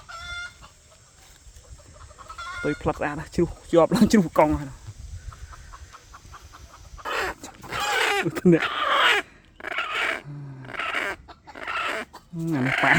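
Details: Wild red junglefowl with a deep, hoarse voice, recorded 3 May 2025: bursts of low harsh calls in the middle, mixed with a person talking and rustling noise toward the end.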